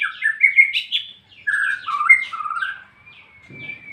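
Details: Short ngeplong phrase by a white-rumped shama: quick bright whistles, then a lower rolling trill, fading into a thin, sustained high whistle.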